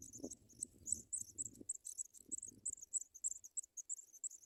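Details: African pipit nestlings being fed white butterflies; continuous high-pitched squeaking chirps in quick uneven succession, accompanied early by rustling and thumping in the nest.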